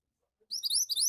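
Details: Javan white-eye in vigorous 'gacor' song, used as training material to get other birds chattering: a half-second burst of very high, rapid, rising chirped notes after near silence.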